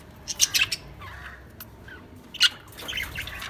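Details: Lovebirds giving quick bursts of shrill, high chirps, a tight cluster at the start, another sharp chirp later, then softer twittering.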